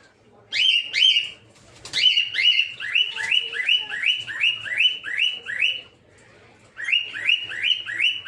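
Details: In a breeding aviary, a peach-faced lovebird delivers a fast run of rising, whistled chirps, about two or three each second, pausing once before resuming the same upslurred notes.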